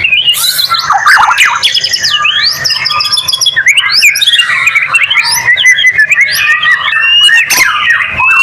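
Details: White-rumped shama song used as a lure to prompt other shamas to sing; dense, continuous medley of rising and falling whistled slurs, fast trills and scratchy notes, very loud and varied, faint steady hum beneath.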